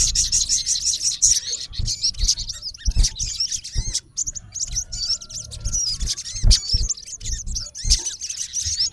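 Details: Calling a rival, a male olive-backed sunbird gives continuous high twittering and fast trilled chirps with curling whistled notes, over noticeable low rumble and occasional knocks.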